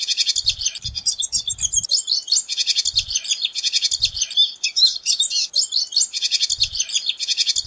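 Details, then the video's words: Continuous, fast twittering from a pine siskin, with bright trilled runs and scratchy chatter flowing without pause, and soft low bumps in the background. "Pine Siskin Song! Call! Sound! Singing! Chirp! - Jilguero De Los Pinos Canto"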